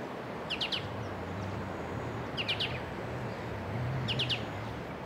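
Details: White-cheeked Honeyeater calling to its mate in nearby bush, moving quickly between perches; three evenly spaced groups of three sharp, rising notes, with a low hum and background noise throughout.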